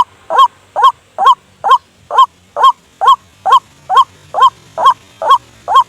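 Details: Thirteen steady, upward-inflected honking calls of a white-breasted waterhen, a lure sound for drawing birds to a snare after dark, evenly spaced and strongly voiced.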